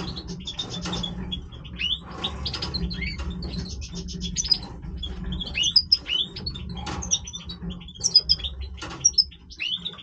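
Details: Breeding song of a Major goldfinch, high tinkling twitters and short chattering bursts in quick succession, some notes rising and sharp, set against a faint low hum.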